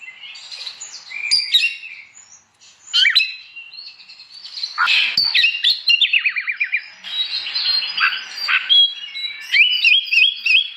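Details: Oriental magpie-robin's loud morning ngeplong song, provoking other magpie-robins to join in; dense jumbled chirps and whistles with quick descending note runs and high sharp accents.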